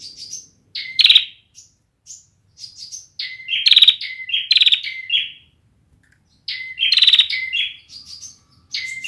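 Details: Bar-winged prinia, a young bird whose song is still immature, giving bursts of thin high chirps mixed with harsh buzzing rattles. The phrases come in quick runs, with one longer pause partway through.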